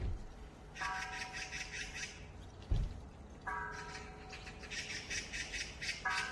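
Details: Oriental magpie on the Gaeungsan mountain trail in February 2021: two bursts of harsh, rattling chatter with rapid rough pulses. A steady tonal note with overtones runs alongside, a thump sounds midway, and faint outdoor rushing noise lies underneath.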